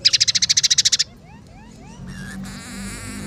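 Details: Scaly-breasted munia chirping song that includes sparrow, red siskin and canary phrases: a rapid trill of about twelve bright notes, then soft rising slurred whistles and a wavering buzzy ending.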